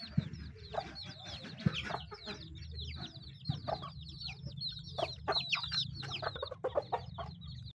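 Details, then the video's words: Chickens feeding, with many overlapping high chirping peeps and soft clucks over a steady low rumble and scattered pecking taps throughout. "The sound of chickens eating."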